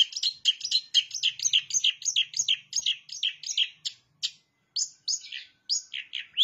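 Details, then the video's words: Long-tailed shrike singing with mimicry of the bar-winged prinia: a dense run of quick, high, chirping notes rattled off in rapid succession, then sparser separate sweeping chirps after a short pause. "Cendet Gacor isian CIBLEK"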